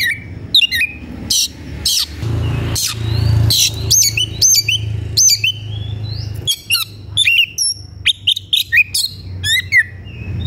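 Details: White-rumped shama singing with high emotion, seeking a rival to fight: loud, varied phrases of sharp whistles, rapid slurred notes and buzzy trills, delivered in quick bursts over a low steady hum.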